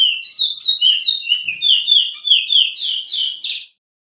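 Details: Training song of the Suriname Chestnut-bellied seed finch, or picolet-curio, for caged birds: loud rhythmic whistled pairs of high and low notes, about three per second, ending in buzzier notes before stopping.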